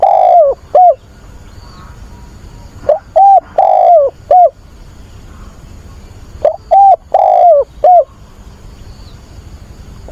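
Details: ['Spotted dove used as a decoy, calling to find a mate. Three complete coo phrases roughly every three to four seconds, each a short note, a longer drawn-out hoot falling at its end, then a final note.']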